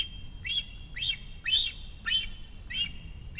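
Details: Cinereous vulture juvenile in the nest, Rascafría, Sierra de Guadarrama National Park, calling to be fed as a parent appears in the sky: five piercing, slightly rising chirps spaced about half a second apart over soft low hum.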